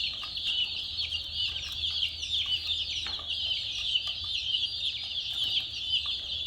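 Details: A flock of chicks chirping nonstop: crowded, high-pitched peeps overlapping into a steady shrill chorus, over a faint low rumble.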